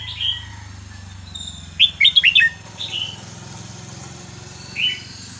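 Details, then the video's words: Red-whiskered bulbul singing varied, pleasant phrases meant for tutoring young birds: a short whistle, then a lively cluster of chirpy warbled notes and two later single whistles, over a steady low engine-like hum. "นกกรงหัวจุกสำนวนเพราะๆ ร้อง เพลงไม่ซ้ำกัน เปิดสอนลูกนก"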